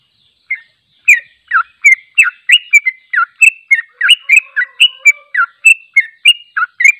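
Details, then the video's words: After a brief silence, a sooty-headed bulbul launches into its long trilling 'ropel' song, played unedited for training: rapid, clear whistled notes, some rising and some falling, tumbling along at about three per second. "Suara Trucuk Ropel Panjang istimewa tanpa editan, melatih mental trucuk"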